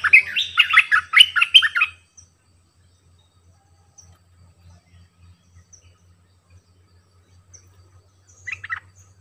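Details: Sooty-headed bulbul kept as a decoy sings a two-second burst of rapid, bubbly notes. Near silence follows over a steady low hum, then a brief final phrase.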